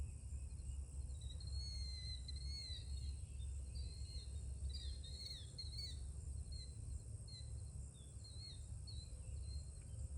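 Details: Birds singing at sunrise: thin, high chirps and short twittering phrases from several birds, scattered throughout, over a steady low rumble and a constant faint high hiss.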